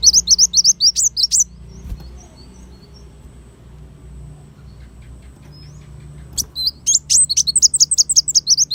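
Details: Kolibri wulung sunbird singing, recorded as tutor material for songbirds: a fast burst of high, thin, squeaky notes, then a long near-silent pause with one soft note, then another rapid twittering burst, all over a faint low hum.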